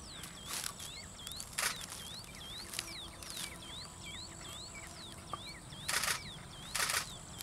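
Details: Spotted redshank feeding at Dadri Wetlands, Greater Noida, India, on 10 May 2014, giving quick, repeated whistled 'chu-wit' notes that dip and then rise, several per second, over broad rustling bursts and a thin steady high hiss.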